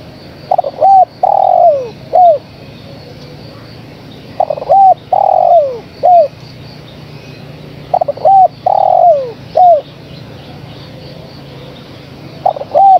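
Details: Calling female spotted dove summoning the male, phrases repeated about every four seconds. Each is a stutter of short notes, a drawn-out falling coo and a brief arched final note, with a low steady hum beneath.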